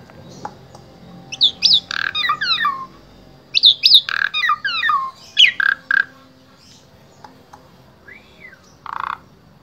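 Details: Asian pied starling from Wonosobo, Central Java, Indonesia, used as a vocal tutor for other starlings; rapid varied song of sharp falling whistles and harsh chatter in three quick bursts, then a soft arched whistle and a buzzy note.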